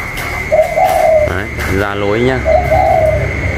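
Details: Caged 'cu còi' spotted dove in a calling contest with a wild bird, 27 October 2022; two gentle coo phrases at either end with a man's voice speaking between them, over a constant high hum.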